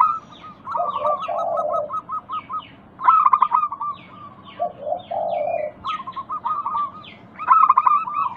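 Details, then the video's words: Song of a local zebra dove, played to prompt other doves to sing: two phrases, each a rapid string of notes ending in a low vibrating coo, with sharp chirps of small birds in between. "Pancingan Ampuh burung perkutut lokal bikin nyaut kutut sekampung Untuk Atasi macet bunyi"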